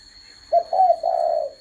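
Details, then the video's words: Spotted dove uttering one three-part coo: a clipped note, then a warbling note, then a long soft note that slowly drops away, against a constant high tone. "AI thích CHIM CU GÁY hãy thưởng thức video này"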